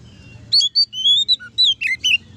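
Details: Ngeplong-style song of an oriental magpie-robin, used to stir rival magpie-robins to sing: a quick run of clear whistled notes, some sliding up, others dropping, with one lower note midway.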